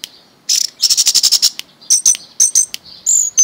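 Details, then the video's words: Pet orange-headed thrush, kept since it was young, singing in a high register: a rapid buzzy run of repeated notes, then sharp whistled notes and short chips in separate bursts, with silence between phrases. "Anis Merah Mabok"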